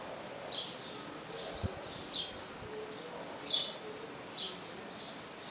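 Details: A male sparrow calls the female to the nest with short, high chirps, several per second at irregular intervals, one louder note midway, over a steady hiss of outdoor background noise.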